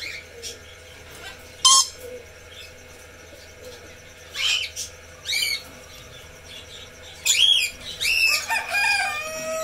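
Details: Red lory, a parrot species, calling in spaced bursts: a sharp screech, then curved whistled notes and a closing cluster of harsh, rising squawks.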